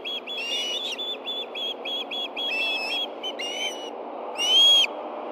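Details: Osprey at a nest in Hellgate Canyon, Montana, on 24 August 2013 at 10:46 a.m., stirred as a fish is brought for two hungry birds: rapid repeated whistled chirps, then louder rising cries, over steady background hiss.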